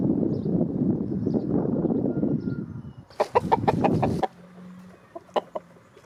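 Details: Chickens, a rooster and hens, out in the snow, pecking about while the roosters strut; a steady low rustling and scratching gives way to a burst of rapid clucks, then a few sharp separate clucks over quiet ground.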